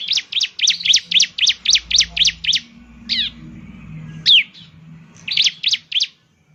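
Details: Song of a bar-winged prinia (ciblek), used as a lure to make a caged bird sing: a rapid run of about ten high, ringing chirps, then a pause with a few scattered notes and a final short trio.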